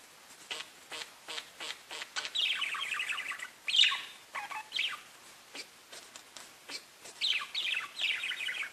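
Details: Parakeets chirping and talking to each other: bright high chirps and warbled, rapidly modulated phrases, some descending trills, in short bursts with brief pauses, scattered sharp clicks between calls.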